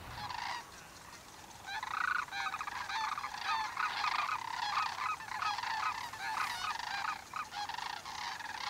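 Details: Migrating sandhill cranes, thousands stopping on the Pacific flyway to feed and dance in farm fields at refuges in Oregon and Washington; a dense chorus of overlapping rolling, trilled calls with rising and falling volume.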